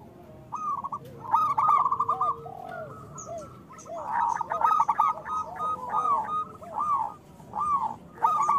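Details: Zebra doves of a local strain in full song, meant to encourage lazy doves to sing: bursts of trilled cooing and short arched coos from several birds, quiet gaps between phrases.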